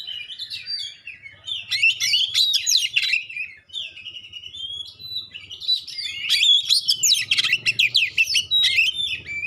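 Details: Oriental magpie-robin giving clear song with sharp 'tembakan' notes that spur other magpie-robins to answer; continuous rapid, varied chirping and whistled slurs, one brief pause midway, with a faint low hum behind.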